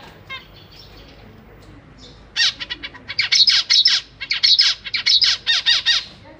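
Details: Zebra finch babies in a cage being fed by their parents; after a quiet start, loud harsh nasal squawks burst out in rapid, uneven bursts for the last four seconds, with faint background hum.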